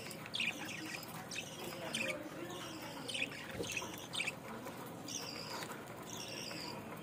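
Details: Budgerigar in Bangladesh uttering short, scratchy chirps in loose clusters spread over seven seconds, with faint background voices.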